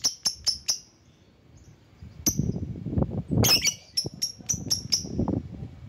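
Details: Lovebird lure calling rivals: a quick run of four piercing high chirps, a pause, then a harsh squawk followed by a further rapid run of high chirps, with low rumble.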